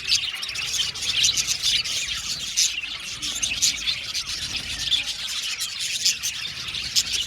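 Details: Several blue male budgies chirping nonstop, a dense high twitter punctuated by sharper squeaky notes that pulse roughly every second.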